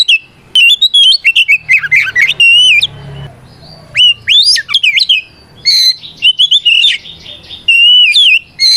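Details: A caged Oriental magpie-robin delivers its fighting song to provoke rivals, a busy stream of warbled whistles, twisting slurs and sharp rising notes broken by one short pause.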